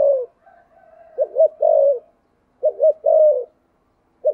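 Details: Spotted dove of the "thổ sấm" voice type cooing "thúc gù" repeatedly: the end of a coo, soft low murmuring, then two full phrases of two quick notes and a drawn-out coo, with a new phrase starting.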